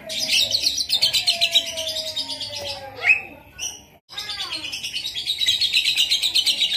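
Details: Asian pied starling mimicking a lovebird, delivering long rapid chattering trills of buzzy high notes with a lower whistled tone underneath, a brief pause around the middle, then the chatter resumes.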